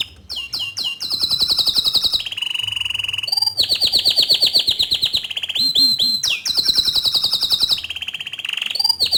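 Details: Bottle-green canary delivering lively song, offered as tutoring material for young and untrained canaries: bursts of rapid chirps alternate with sustained rolling trills at high and lower pitches, the phrases running on continuously with brief whistled slides between them.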